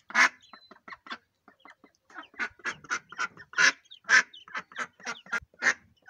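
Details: Female mallard beside her day-old ducklings gives a dense, irregular string of raspy quacks, several per second, mixed with fainter, shorter calls between the louder notes.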